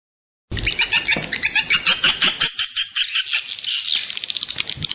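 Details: Swiftlet lure call played to attract swiftlets: dense, high, rapid chattering twitters in rhythmic pulses, about three per second, growing buzzier and faster near the end.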